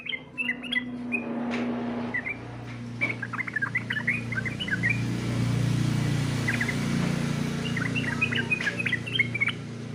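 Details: Sooty-headed bulbul competition song: clusters of quick, bright chirping notes in repeated bursts, set against a steady low droning hum.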